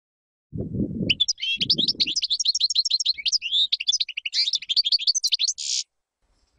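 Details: European goldfinch song for teaching chicks. A fast, continuous tinkling twitter with a harsh buzzy note near the end, and two low dull thuds at the start.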